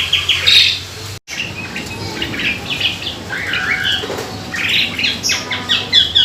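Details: Asian pied starling, locally jalak suren, singing in a lure track for other birds: scratchy chatter, rising whistles and rapid clicking notes over a steady background hiss.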